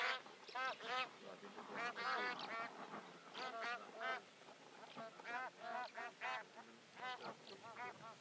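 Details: Bar-headed geese on migration in Pakistan, where they winter, giving nasal, honking calls in overlapping bursts, several birds calling at once with rich harmonics, the chorus rising and falling every second or so.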